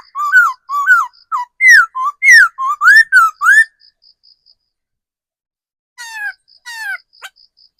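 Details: Old wild-caught decoy laughingthrush singing loud, rich whistled phrases, each note swooping up and down, given in a rapid run of about ten notes. A pause follows, then two shorter falling whistles. A faint steady high tone pulses throughout.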